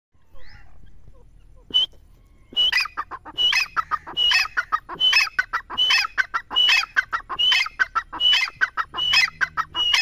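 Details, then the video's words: Grey francolin calling: after a few soft notes, loud harsh phrases start, each opening with a high whistled note followed by a rapid burst of scratchy clucks, repeated about once per second in a steady rhythm. "teetar ki awaz | teetar ki boli"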